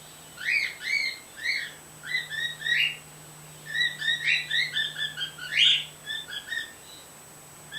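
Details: A white female pet bird, recently starting to make noises, heard through a screen door near a male bird: a long run of rapid, repeated chirping call notes, steady and clipped, over a continuous low electrical hum.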